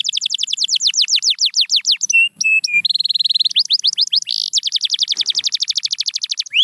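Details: Canary song with rapid swept trills, a pause of three short level whistles, then a dense high rolling trill and another quick series of descending sweeps, crisp and continuous throughout.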